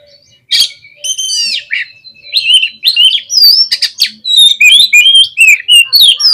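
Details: Agitated oriental magpie-robin singing to rile up rival birds, an unbroken stream of loud, varied phrases: swooping whistles, rapid chips and rising slurs that run almost continuously for six seconds.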